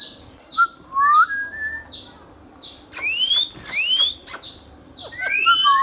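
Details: Ringneck parrot kept as a pet whistles a low rising phrase, then a series of long upward sweeps broken by sharp clicks, ending with a rapid flurry of high notes.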